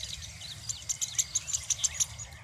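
Thick-billed Weaver giving a run of short, high clicks about five per second, with thin tweets between, over a soft background hiss.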